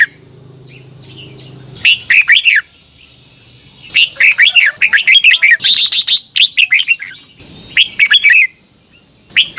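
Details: Red-whiskered bulbuls in a morning singing contest, recorded as lure song; a quiet low hum first, then phrases of rolling, whistled notes that build into a long, rapid run of chirps before a pause and a final short phrase.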